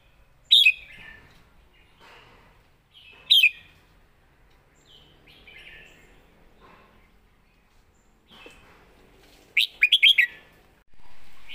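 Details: Red-whiskered bulbul song in master-song style: sharp single whistled notes spaced a few seconds apart, soft softer twitters between, then a fast cluster of bright whistles, ending in a burst of noise.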